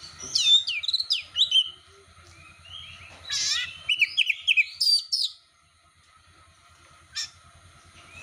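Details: Champion Oriental magpie-robin, a competition bird ready for the contest, singing as bait to provoke other magpie-robins: a rapid run of varied whistled and chattering phrases for five seconds, then near silence with one short note, over a faint low hum.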